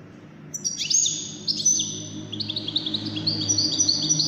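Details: One of five wild-caught European goldfinches competing for best song delivers bright, high twittering phrases with quick downward slurs, then a fast stuttering trill; a steady low hum runs underneath.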